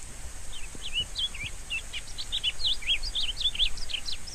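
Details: Rusty-collared seedeater song, a fast continuous warble of short twisting whistled notes, about four per second, climbing and dipping in pitch throughout, with low background rumble and hiss beneath.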